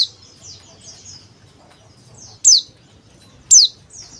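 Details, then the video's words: Male pleci, the Oriental white-eye, gives two strong high descending chirps one second apart after a run of quieter thin downslurred notes; low faint rumble in background. "CALL PLECI DAKBAL JANTAN"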